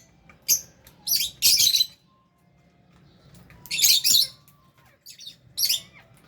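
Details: Caged lovebirds and budgies enjoying food, with scratchy high chirps in grouped bursts, a double burst near the start, a louder pair midway and softer chips at the end.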